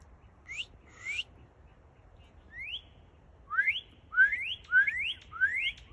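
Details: Northern cardinal singing: two high slurred notes, a pause, a single rising whistle, then a run of four clear upslurred whistles rising from low to high pitch, about two per second.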